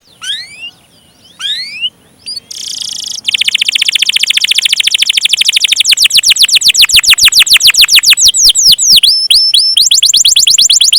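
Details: Canary singing a long rolling 'gacor' song: a few separate rising whistles, a short buzzy burst, then a fast, steady trill of downward-sweeping notes that runs for over seven seconds.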